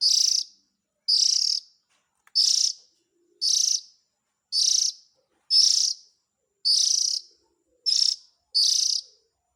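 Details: Chick calls of the Oriental magpie-robin, played to attract adults: nine rasping, buzzy bursts in a steady series, about one per second, each harsh and high with a slightly ragged texture.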